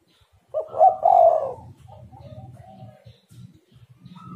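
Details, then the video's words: Spotted dove call meant to lure other doves into calling, one loud rolling coo phrase followed by softer trailing coos and low background rumbling. "tekukur super gacor pancingan untuk lawan malas bunyi"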